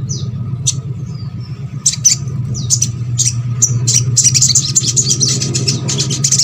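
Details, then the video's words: Crescent-chested babbler song used to prompt reluctant birds of its kind to sing: scattered high chirps and downslurred notes that build into a quick, continuous twittering run, with a low hum beneath. "MASTERAN SOGON ( sogok ontong ) BAHAN AGAR RAJIN BUNYI"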